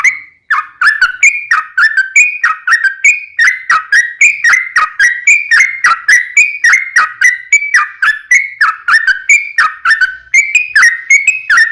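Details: Yellow-vented bulbul giving long rolling lure song meant to prompt other bulbuls to answer: a steady, rapid stream of gurgling whistles alternating high and low notes, sustained for the whole stretch after a brief silent start.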